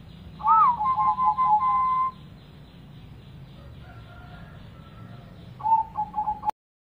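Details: Zebra dove song meant to coax a silent dove into singing: an arched whistle and a run of short coos over two seconds, quiet faint notes, then a brief stuttering phrase before the sound cuts off.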